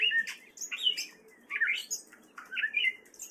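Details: In Fairfield, Iowa, in spring, a male gray catbird sings choppy phrases: a squeaky slurred note, a chattery burst, then twisting warbled notes, each phrase brief and different from the last.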